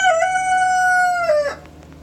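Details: Morning crow of a rooster, caught from its long steady held note about a second and a half long, ending in a falling tail, then fading to a quiet low hum.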